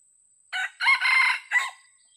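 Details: Old original red junglefowl, described as still hesitant, in a luring session with a decoy bird. One short, loud crow in four parts: a brief first note, a long harsh middle section, then a clipped final note. A faint steady high tone runs throughout.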